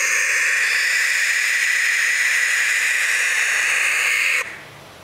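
Young barn owls give a long, harsh, breathy hiss, a steady rasping screech that runs unbroken for about four seconds, then cuts off to quiet.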